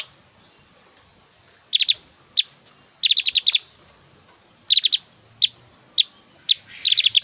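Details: Vigorous song of a Javan grey-throated white-eye, with varied whistling and loud 'tembakan' bursts: clusters of rapid high ticking notes alternating with single sharp notes, spaced about half a second to a second apart.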